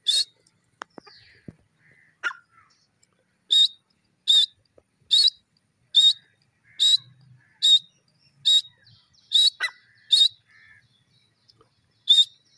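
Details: A desi teetar (francolin, called partridge) gives harsh, high, grating notes repeated steadily, a little under one per second.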